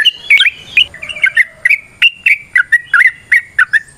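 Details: Yellow-vented bulbul in ropel variasi song, nrotok and ngecuplik style: a brisk sequence of bright, slightly slurred chirps, about three per second, with a few upward-flicking whistles.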